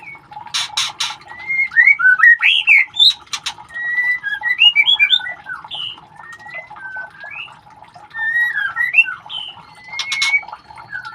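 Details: White-rumped shama chicks handled for ringing produce scattered whistles and quick chirping clusters, some twisting up and down in pitch, amid loud clicking and rustling bursts.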